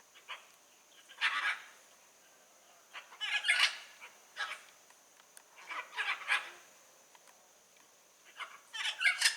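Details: Harsh raucous calls of a wild blue-and-yellow macaw in nature, coarse screeching bursts grouped in twos and threes with quiet gaps between, a steady high-pitched hiss underneath.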